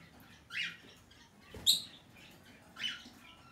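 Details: A hand-tame green-cheeked conure chick of the red-cheek pineapple colour form, 25 April 2020, gives three harsh, raspy, fairly high calls, about one every second, over a quiet indoor background.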